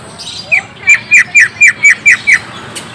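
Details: Green leafbird sound used as a lure so a young, newly caught leafbird will answer right away: a series of eight sharp, downslurred chirps, evenly spaced about every quarter second, after a soft rising note.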